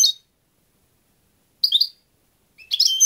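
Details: European goldfinch giving three brief high twittery bursts, one at the start, one near the middle, and a louder chattering burst at the end, separated by silence; clean, quiet background.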